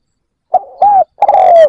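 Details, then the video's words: Decoy spotted dove calling to lure wild birds: a short note, an arched coo and a drawn-out slowly falling coo, the phrase cut off before its final note; nothing else heard. "Cu mồi gáy kích bổi cực nhạy dành cho bổi khó tính"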